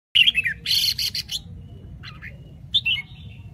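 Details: Red-whiskered bulbul from Bình Định singing bright, bubbly phrases with warbled notes swooping down and rising again, separated by short pauses, over a faint low hum.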